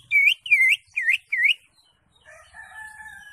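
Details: Greater green leafbird, ngekek song: four loud, slurred whistled notes, each dipping then rising, given about two per second, followed by softer, lower, steadier whistles.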